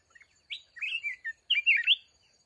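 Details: Loud red-whiskered bulbul decoy in a fighting trap for wild mountain bulbuls sings two fast, clear phrases of swooping whistles and warbles. A faint high tone runs in the background.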